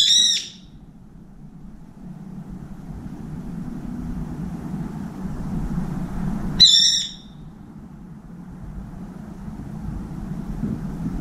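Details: Two loud, harsh, piercing screeches about six seconds apart from a brown-eared bulbul at an outside window feeder, calling to find a companion; quiet low hum fills the gaps.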